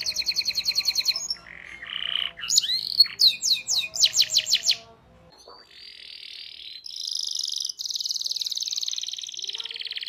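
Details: Lively canary song meant to coax young canaries into singing: rolling trills, a burst of sharp sweeping notes, a brief quiet stretch, then a sustained dense high trill.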